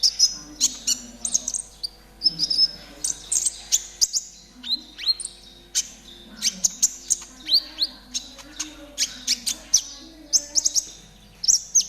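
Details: Konin trotol singing actively, a tutor recording played to caged birds so they start singing quickly: dense bursts of sharp, high chirps and short whistled trills, packed closely with brief pauses across twelve seconds, plus a faint low hum underneath.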